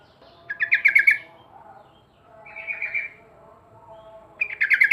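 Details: Song of a Yellow-vented bulbul: two rapid, bubbly chattering phrases with a softer, slurred warble between them, separated by short pauses, over faint low background noise.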